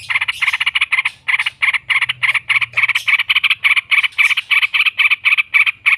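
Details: Yellow-vented bulbul in full voice giving a long ngekek chatter, used as a lure for training birds: a rapid run of harsh, buzzy notes repeated about four times a second with brief breaks, no other sounds.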